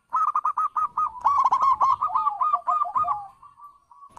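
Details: Zebra dove song used as a lure so other doves reply: a fast, steady string of rolling coo notes, about three and a half per second, fading into a thin drawn-out tone at the end.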